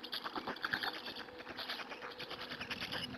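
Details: Black stork chicks fed by an adult at a Hungarian nest, 2 May 2017 afternoon, live nest camera; continuous soft, fast ticking and rasping chatter with little pause, fairly even in loudness.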